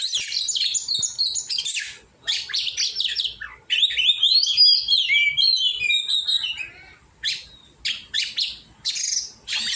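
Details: Oriental magpie-robin singing during training, harsh buzzy bursts followed by a long descending run of quick whistled notes, then further scratchy chatters with pauses.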